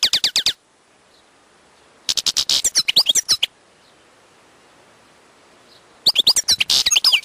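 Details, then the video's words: European goldfinch, wild, in rapid bursts of song: three phrases of high tinkling twitters, buzzy notes and liquid slurred whistles, separated by pauses of about a second and a half. "chant chardonneret sauvage/ تغريد حسون نار"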